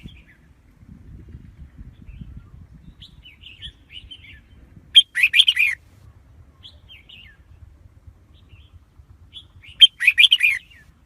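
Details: Lure red-whiskered bulbul for trapping wild birds, singing two loud, rich warbled phrases about five seconds apart, each a quick run of bright chirping notes, separated by soft scattered whistles; faint low background hum.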